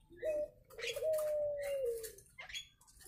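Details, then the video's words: Nias hill myna's natural voice for training: a clear, sustained whistle that holds level and then drops gently, with a short lower note before it and soft rasping noises around. "Suara Asli Burung jalak nias"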